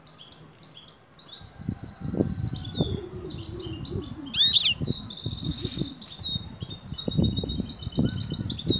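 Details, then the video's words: Female European goldfinch in breeding condition calling to the male: high twittering interspersed with long buzzy rattling trills and a single loud sweeping note, low rumbling noise in the background. "بتبتة أنثي المقنين هائجة تنادى على الذكر للتزاوج،jilguero"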